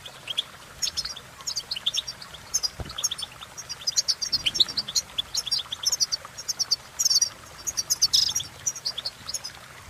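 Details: Goldfinch delivering a cheerful, uplifting song: busy rapid twitter of high notes, buzzy trills and scratchy chirps, growing denser toward the end, with a single soft knock early on.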